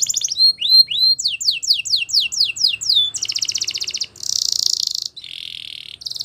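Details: Spanish Timbrado canary song in quick, varied sections: clear rising whistled notes repeated about three per second, then sharp descending chips, followed by dense rolling trills and a lower buzzing rattle.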